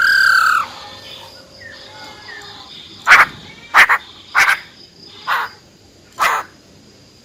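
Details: Female Silver-eared Laughingthrush giving wild-type song: a brief whistled phrase opens, then a series of sharp, rasping bursts at irregular intervals under a faint steady hum.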